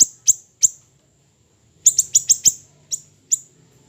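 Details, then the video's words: Small siri-siri songbird tutor recording: three high, clipped chirps, a pause of over a second, then a fast run of five chirps and two spaced notes, each brief and sharply falling, on a quiet background. "MASTERAN HANDAL burung siri siri kecil"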